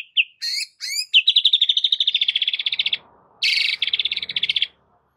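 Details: Aggressive fighting song of a white-rumped shama, a training master: sharp high chips, then a long rapid rattling trill, a pause, and a second loud rattle.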